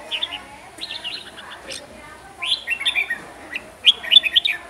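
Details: Huế red-whiskered bulbul in full song, delivering clusters of bright whistled, slurred notes in bursts, with a quiet gap mid-phrase before more rapid chattering phrases resume.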